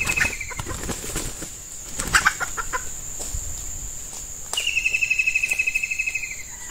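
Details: Female red junglefowl kept as a decoy to lure wild males, in hot weather suited to breeding; a few sharp clucks, then a fast run of about fifteen harsh pulsed notes, over a steady high insect drone and some rustling.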